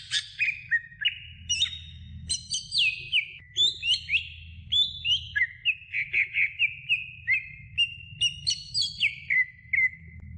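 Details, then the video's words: Greater green leafbird song as a training recording for other birds: a long, lively stream of whistled slurs and chips, stepping up and down in pitch with a fast chattering stretch, over a low hum. "Masteran Cucak Hijau Durasi Sedang"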